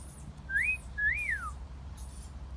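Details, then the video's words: Parrot in a garden whistling a single wolf whistle: a short upward sweep followed by a longer note that climbs and then glides down, over a quiet background. "Parrot Wolf Whistling"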